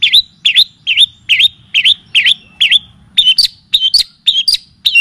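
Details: Long-tailed shrike (cendet) lure and tutor song for training birds: bright, hooked chirps repeated about twice a second in a steady run, later turning into higher, quicker twisted notes.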